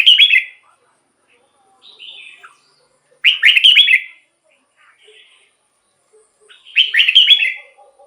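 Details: Red-whiskered bulbul song from a caged bird, used to make other caged birds lively: short bright whistled, slurred phrases spaced a few seconds apart, with faint soft notes in between.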